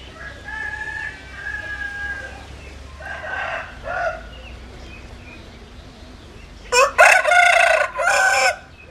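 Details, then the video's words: Distant roosters crow softly at first, then one bird close by gives a loud, ragged, multi-part crow with a stuttering start and a trailing final note. "Tiếng Gà Gáy Hay Nhất 2021"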